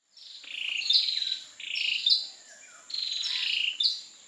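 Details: Ashy tailorbird in Singapore giving an unusual call: three buzzy, high, chattering phrases, each about a second long, with sharp piercing notes near the end. No other sounds.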